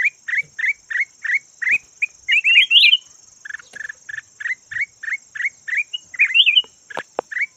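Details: Decoy red-whiskered bulbul of the yellow type: a steady series of short sharp chirps, about two per second, interrupted by a tumbling whistled warble, plus a brief click near the end, with a faint high whine throughout.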